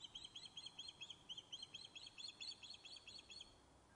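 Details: Fish-calling osprey on the nest at Loch of Lowes, Scotland, filmed by a nest webcam after being thought lost: a fast, insistent run of high piping chirps, many in a row, with slight changes in pitch and a soft hiss behind.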